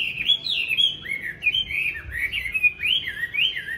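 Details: Caged Chinese hwamei in Hanoi, Vietnam, described as tame and a strong fighter, sings a fast, continuous warble of high slurred whistles that rise and fall without pause over a low indoor hum.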